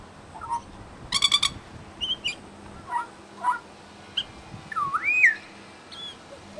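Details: Pied Butcherbird in suburban Brisbane, Australia, mimicking local sounds: scattered clear whistled notes, a stacked burst of harmonics, and a loud looping, rising-and-falling whistle near the end, with short pauses between phrases.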